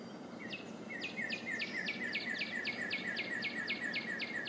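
A Northern cardinal sings a fast, steady series of clear, downslurred whistles, about three per second, over a soft hiss of background noise.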